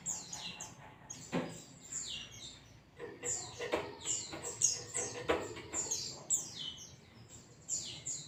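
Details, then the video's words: Pleci, a white-eye, in a ngalas song used for masteran: bright, high sliding whistles follow one another rapidly after a brief pause, accompanied by scattered clicks and low rustling. "zosterops bird sound"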